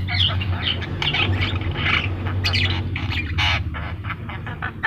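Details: Javan myna in lively song, rough squawking notes and raspy chatter delivered in uneven clusters, some sharp clicks between, all over a persistent low hum.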